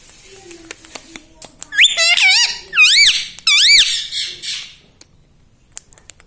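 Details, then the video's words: Pet parrot indoors, talking and mimicking the words "mummy papa": three loud, warbling, harmonic utterances with rising and falling pitch around the middle of the clip, preceded by soft clicks and taps, then quiet. "Parrot talking mummy papa"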